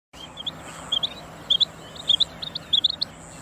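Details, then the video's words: A female quail gives short, high, chirping notes, often in quick pairs, repeated irregularly over a faint steady background hiss. "مادہ بٹیر کی آواز //بٹیر کی آواز / female quail song"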